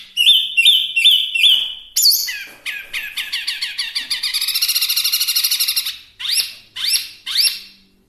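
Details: Chinese hwamei song meant as a tutor for songbirds: four repeated whistled notes, then a long fast rattling trill of rapid even pulses, ending with three loud downslurred whistles.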